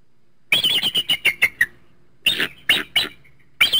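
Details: Eagle giving high, piercing chittering notes, a rapid descending series of about eight yelps followed by a few separated sharper squeals.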